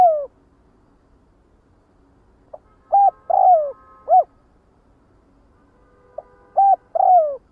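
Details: Spotted dove calling to gather its flock: clear, low cooing phrases of short hooked notes and a longer descending coo, given in two separated bursts with quiet gaps between them.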